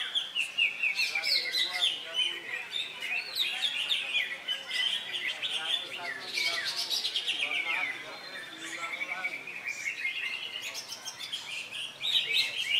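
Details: Contest-entered Greater Green Leafbird freshly past its moult, competing on a Saturday in Indonesia and taking two wins; long continuous warbling of quick shrill whistles and twittering slurs, loudest in bursts, with a faint voice in the background.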